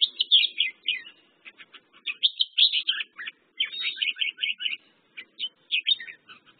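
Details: Red-whiskered bulbul, known in Malay as merbah jambul, singing a fast run of bright chirping and warbled notes, the phrases tumbling together almost without pause, with a faint low murmur underneath.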